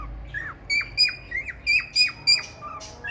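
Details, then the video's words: A male cockatiel courts a female red-eyed budgie with a brisk series of sharp whistled notes sliding downward, ending in softer, lower hooked chirps. "male cocktail parrot love story with red eyes budgie female"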